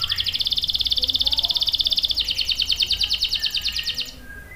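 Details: Energetic canary song meant to stimulate and teach young males: a continuous fast trill of evenly spaced notes that changes to a slightly slower, brighter roll halfway through, then fades.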